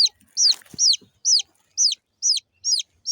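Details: Chirping from small local chickens, young chicks: piercing descending cheeps, seven in quick succession about every half second, with a brief scratchy rustle near the start.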